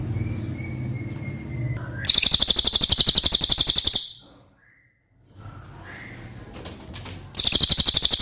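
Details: Cililin song recorded as tutor material for contest songbirds: a rapid, high, rattling trill lasting about two seconds, then a pause and a second trill starting, over a low background hum.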